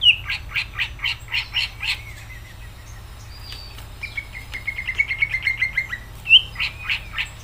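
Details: Cucak ijo, or greater green leafbird, singing in a lively, vigorous way: rapid trains of short buzzy chirps alternate with a run of repeated whistled notes, then a final burst of quick chirps, over a steady low hum.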